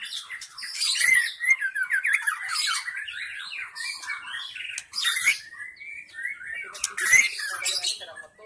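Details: Wild white-rumped shama from the forest, lure recording to attract shamas: harsher, scratchy chattering notes mixed with quick whistled slurs and occasional sharp clicks.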